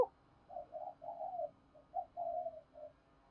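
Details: Soft, distant spotted dove cooing meant to draw wild doves to respond: a string of about seven short, mellow coo notes, the longer ones near the end, over light background hiss.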